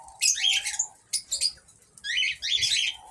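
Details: Eno cockatiels in an aviary, described as active and healthy: three clusters of harsh, scratchy chirps and squawks, with a steady low hum beneath.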